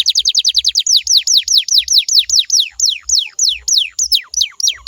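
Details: Canary song to lure other canaries into singing back: a rapid string of high downslurred whistles that gradually slows into longer, deeper sweeping notes about three per second, over faint low thumps.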